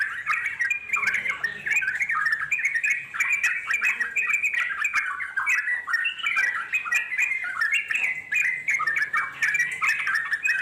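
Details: Wild Yellow-vented Bulbul in a long, rapid chattering song ('ngeropel panjang'). The bubbly, gurgling phrases jump between lower and higher notes and overlap almost without pause, suggesting several birds calling together.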